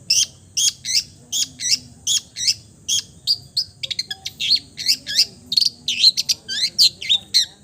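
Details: Long-tailed shrike with a mimicry-rich song: rhythmic, loud, high slurred notes repeated about twice a second, then a faster, more varied run of chips and whistles.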